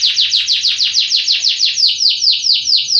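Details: Canary repeating a clear, high swooping syllable about five times per second, each note sliding downward, forming a steady rhythmic tour.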